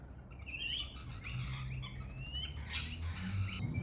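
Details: Australian lorikeet, a parrot, in a busy stretch of overlapping shrill, harmonic screeches and chatter, several calls layered together, over a low rumbling background hum.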